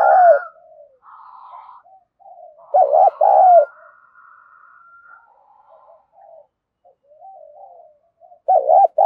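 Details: Spotted dove performing gù and gáy calling to stir decoy birds into calling during training. Loud double-looped coos open the clip, come again in the middle and return at the end. Soft murmured coos and a thin whistled tone fill the gaps.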